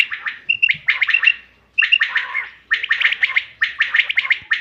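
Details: Bater, common quail, on 5 June 2025, a call meant as a hunting lure: a short whistled note, then clusters of sharp chirps in four bursts separated by brief silences.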